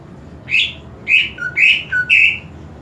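A greater green leafbird sings four loud, rich, slurred phrases about half a second apart, with two brief lower notes between them, over a faint background hum.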